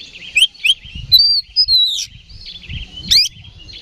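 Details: A fighting oriental magpie-robin lure song: upward-flicked whistles, a long sweet falling whistle, and a sharp rising buzz near the end, over a faint low murmur.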